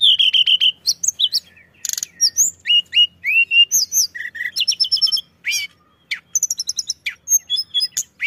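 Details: Pied bushchat singing steadily as a lure to draw other birds; a rapid stream of varied whistles, sharp chirps and rising slurred notes with short trills, almost without pause.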